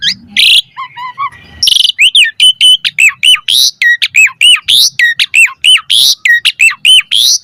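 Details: Asian pied starling (jalak suren) pumping out mompa-style training song: a short harsh opening, then a fast, steady string of repeated hooked whistles, roughly one every eighth of a second.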